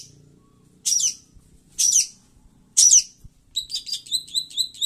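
A long-tailed shrike gives three harsh, rasping notes about a second apart, then a quick run of short, high chattering notes. Low background rumble throughout.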